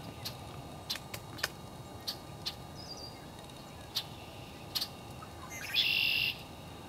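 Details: Red-winged blackbirds at Raymond Brook Marsh on 4 March 2011 give sharp, scattered check notes, then a brief harsh buzzy trill.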